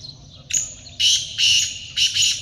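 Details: Black francolin call from a hunting setting: a sharp harsh note, a pause, then loud rasping double bursts, coarse and grating, repeated twice within about two seconds, with quiet low hum beneath.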